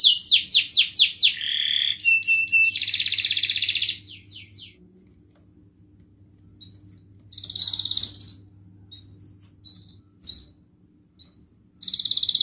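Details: Canary song used as a lure to get lazy canaries singing, in the ngerek, mbarong and ngerol style: fast descending trills, a dense buzzy burst, then a quiet gap with scattered short upslurred chirps before another bright roll.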